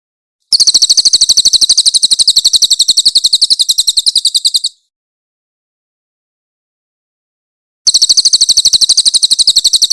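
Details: Loud, clear master recording of Grey-headed canary-flycatcher for teaching captive songbirds, with rough rapid-fire bursts: a four-second high trill of fast, evenly spaced sharp notes, three seconds of silence, then another burst begins.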